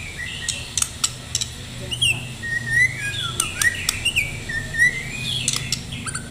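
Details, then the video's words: Captive Medan-type white-rumped shama in full song, readied for contests, sings a rich run of varied whistled phrases with mimicry said to include canary, sliding up and down, broken by sharp clicks and chips over a low hum. "murai batu gacor full isian"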